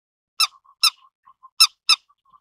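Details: Grey-headed lapwing calls: four loud, abrupt, rasping notes arranged as two pairs, with faint soft piping notes in the gaps and otherwise near silence.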